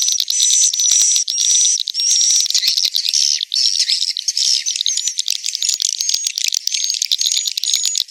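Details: Swiftlet roosting call recorded inside a successful swiftlet house, used to lure swiftlets to roost: loud, dense chattering twitters with a thin high whistle running through, unbroken for the whole stretch.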